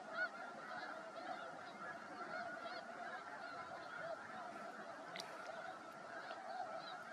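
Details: A large flock of snow geese on the ice of Freeze Out Lake, Montana, during spring migration on a sunny 23 March 2023: a continuous wall of overlapping nasal honks from many birds, with no pauses and a few louder individual calls standing out.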